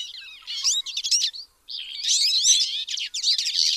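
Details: Twite twittering in two bursts of slurred, high chirps and buzzy notes, split by a short silence midway.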